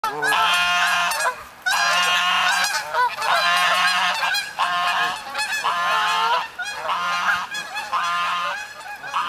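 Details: Greylag and Canada Geese together at Redding, California, honking loudly in a steady run of nasal, harmonic-rich honks, about seven in nine seconds, with short gaps between calls.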